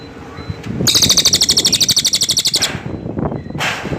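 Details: Cililin bird song: a short burst of buzzy, rapidly repeated pulses lasting under two seconds, with soft background noise before and after.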